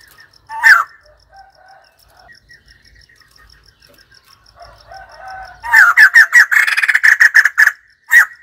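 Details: A white-crested laughingthrush gives one loud harsh note, then soft chattering, then a long, fast, noisy series of loud cackling notes that run together into a rattle, with a final loud note at the end.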